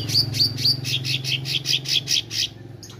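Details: Meranti bird singing actively, a series of short high bright notes repeated about every quarter second for two and a half seconds, over a steady low hum.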